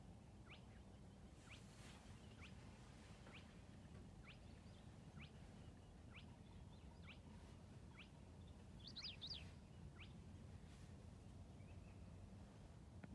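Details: A spotted crake sings in a reedbed at Hörningsholm, Sweden, on 5 June 2019. It gives sharp, rising whiplash 'hwitt' notes about once a second over a low rumble, with brief twittering from another bird.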